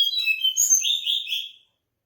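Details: Mangrove blue flycatcher, a short sweet song of high whistled notes that descend, then a lower drawn-out warble ending after about one and a half seconds.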